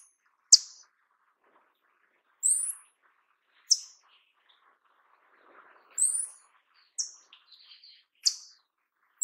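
Paradise tanager giving thin, very high, sharp notes, singly or in short clusters, at irregular intervals a second or two apart; faint low twittering in between.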